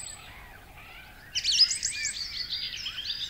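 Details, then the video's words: Song thrush song, marked by repeated notes and phrases and a far-carrying whistled tone. After a near-silent start, a sudden burst of high, rapid, twittering and whistled notes begins and runs on to the end. "Song thrush song is marked by a repetition of notes and phrases and its strident, far-carrying, full-whistled tone."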